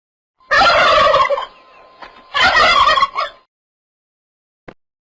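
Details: Turkey gobbling: two loud, rapid, rattling gobbles about a second apart, each a harsh warbling burst of roughly a second, with a short tail after the second, then a faint click.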